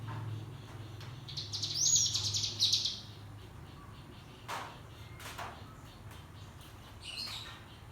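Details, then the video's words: ['Cigun white-eye training song for young birds learning the ngebrem style, giving one rapid, buzzy high trill burst of about a second and a half, then scattered clicks over a low background hum.'] "Pancingan Cigun Agar Bunyi Nembak dan Gacor Ampuh Untuk Melatih Cigun Belajar Bunyi Ngebrem"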